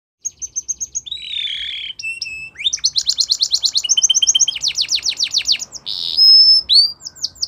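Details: Belgian canary training song: a run of quick high whistled notes, a lower buzzy phrase, then rapid rolling trills of sweeping notes and a long steady whistle near the end, with faint low background hum.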